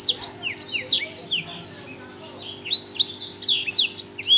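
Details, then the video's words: Blackthroat sings strongly in quick bursts of high downward-sweeping whistles and chips, pausing briefly midway before resuming the rapid twittering; faint electrical hum underneath. "burung blackthroat gacor kenceng"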